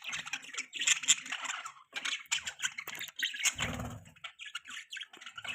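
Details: Busy budgie chatter of squeaks and scratchy notes, briefly covered by a short low thump or rumbling noise just past the middle, then lighter chirps continue.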